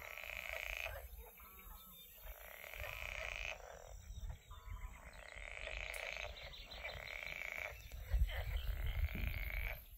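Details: Black-winged stilts at the Isonzo river mouth nature reserve, 14 June 2024, give nasal, yapping calls in repeated bursts, with a steady high hiss and low wind rumble underneath.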